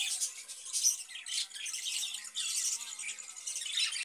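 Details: Caged budgerigars chatter in a steady stream of harsh, buzzy twitters and squawks, with faint tonal hum beneath.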